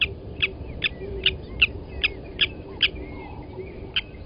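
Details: Blacksmith lapwings, Djuma Game Reserve, South Africa, 07:47 on 29 August 2020, as an adult grabs a nest chick and kills it: metallic clicks roughly twice a second with faint squeaky slurred notes between, over background rumble.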